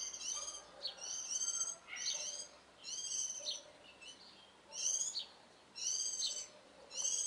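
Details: Warbling white-eye singing on an April morning (11 April 2012): thin, high, rapid twittering phrases about half a second long, repeated roughly every second, with faint lower chirps from other birds.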